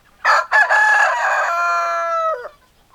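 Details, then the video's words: A rooster gives a full crow, two rough clipped syllables followed by a long drawn-out tonal note that falls sharply at the finish, loud and close against a quiet background. "Chicken Sounds Noises Hens Clucking Roosters Crowing"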